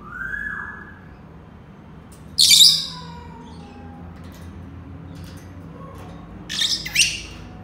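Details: Senegal parrot, the yoyo parrot, opens with a soft rising-then-falling whistle, then one loud harsh squawk, a faint descending whistle, and later a pair of clipped rasping calls.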